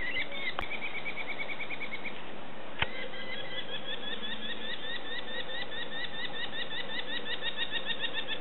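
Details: Hungry young sparrowhawks begging while being fed: a busy stream of short, squeaky, rising chevron notes repeated several times a second from more than one chick, over steady background noise with occasional clicks.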